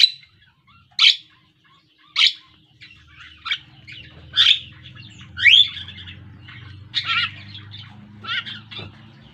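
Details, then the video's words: Black, yellow-billed Javan myna kept as a pet and learning to sing: loud rasping chirps spaced about a second apart, then a tumbling run of mixed buzzy and whistled notes, with low rumbling noise beneath. "Suara Burung Jalak Kerbau / Kebo....Belajar Gacor..."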